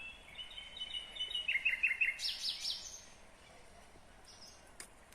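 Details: Nightingale song in Kyrgyzstan, 2020: soft level whistles build into a quick string of sharp repeated notes, ending in a bright high rattle, then quiet.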